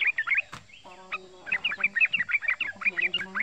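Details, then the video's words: Male yellow-vented bulbul less than a year old, rapid 'ngeriwik' chatter for luring: quick scattered chirps, a sharp knock, then a steady run of sweet, fast notes over faint murmuring voices. "Suara Panggilan Trucukan jantan"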